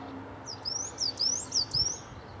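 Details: Garden mistle thrush, one of a family group with three young birds: a run of about six sharp, very high rising whistles in quick succession, each note short and thin, with faint low rumble behind.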